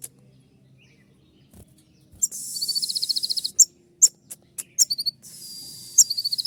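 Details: Brown-throated sunbird (kolibri ninja) singing a loud 'tembakan' shooting-style song. Rapid, very high, sharp trilled bursts are repeated in quick runs, with several single piercing notes between them. A faint low hum sits underneath.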